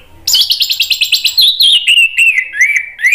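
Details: An orange-headed thrush sings loudly, a quick run of high chirps at about eight per second, then rich warbled whistles sliding down in pitch; a lure or therapy track to get a silent orange-headed thrush singing.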